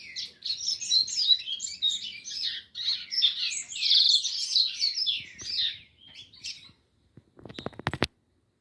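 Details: Rusty-collared seedeater song: a dense run of high chattering and buzzy notes that fades after several seconds, followed by a few loud knocking or clattering sounds.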